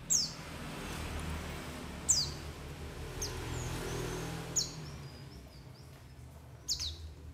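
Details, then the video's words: Lure call of a white-eye for catching birds: four faint, high, falling chirps spaced roughly two seconds apart, heard over a noisy outdoor background with low rumbling. "SUARA PANGGILAN PLECI"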